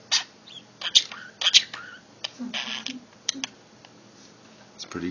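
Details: A pet budgerigar, asked to do R2-D2, gives quick high chirps, clicks and warbled bleeps imitating the robot's beeping.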